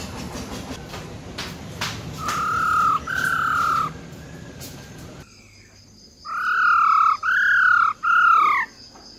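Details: Silver-eared laughingthrush female singing wild-type song to rouse males: scattered clicks and two level whistles, a short lull, then three loud, slightly arched whistled notes in quick succession.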